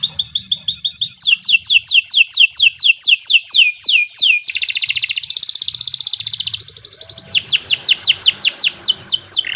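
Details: Canary used as a master song for training future champion birds; sharp varied song with repeated downward-sweeping whistles, a dense buzzy rolling trill, then more rapid descending sweeps.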